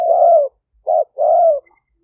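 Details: Spotted dove used as a live decoy to draw wild doves, aggressive strain, Roi Et, Thailand, 2021. A drawn-out low coo, a brief coo, then another long coo, followed by a faint distant chirp.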